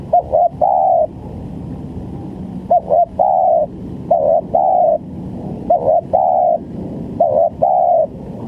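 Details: Repeated spotted dove coos, meant to lure birds into traps. Mellow low phrases of a clipped double note and a longer held coo recur about every one and a half seconds.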